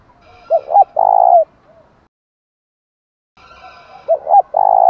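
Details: Spotted dove 'thúc gù' cooing to excite wild and decoy birds; two phrases of two short coos and a longer held coo, with faint steady high tones in the background.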